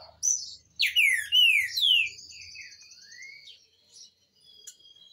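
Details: Green-winged saltator song meant to teach young birds, made of loud clear whistles, several steeply falling slurs in quick succession, then a softer rising whistle, with faint high twittering and a low hum behind.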